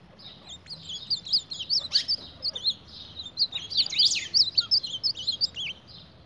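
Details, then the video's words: Fighting its reflection in a mirror, an ultramarine grosbeak utters a fast, jumbled stream of high, thin chirps and squeaky tweets, nearly continuous over several seconds. "Reina mora peleando con el espejo"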